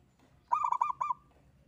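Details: Lone local zebra dove singing keenly. One short phrase of about six rapid, rolling coo notes over a soft low background rumble.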